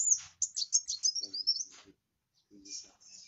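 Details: Brief burst of kowul song: sharp high chirps running into quick descending twitters, followed by silence and two faint, short high notes.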